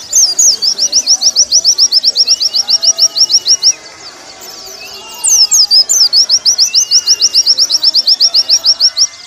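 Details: Training song of a warbling white-eye for caged birds: long, rapid series of high, thin, slurred whistles, about four per second, broken by a brief pause filled with soft twitters, then resuming just as fast.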